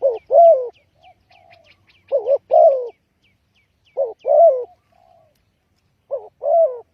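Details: Lure call of a spotted dove for trapping, with mellow two-part coos, a quick wavering note then a drawn-out descending croo, repeated about every two seconds. Softer low coos fill the gaps, and high chirps from another bird are heard early.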